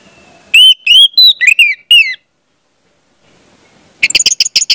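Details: Orange-headed thrush singing to coax young spotted birds into song: a string of five clear, slurred whistled notes, a silent pause, then a fast chattering burst of high clicks.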